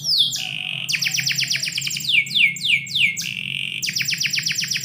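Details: Morning canary singing indoors: a falling whistle, then rapid bursts of clicking descending notes, three slow swooping whistles dropping in pitch, and another fast clicking run, all loud and clear.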